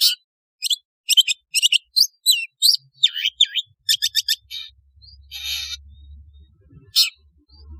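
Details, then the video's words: Long-tailed shrike (cendet) giving its natural call, presented as sounding like the wild: a fast series of sharp high chirps and varied twisting notes, then buzzy harsh bursts, ending with a faint low hum and a final chirp. "TERAPI Suara panggilan CENDET 🦜 SUARA ASLI CENDET seperti ALAM LIAR"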